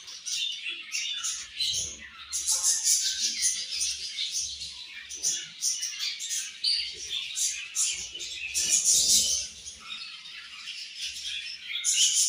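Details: Budgerigar colony in the morning at feeding time, producing rapid bursts of high, scratchy chirps and warbled chatter from many birds together.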